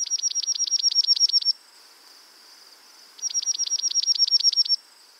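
A Dark-eyed Junco sings two musical trills of rapid, evenly repeated high notes with a slight flutter, each about a second and a half long.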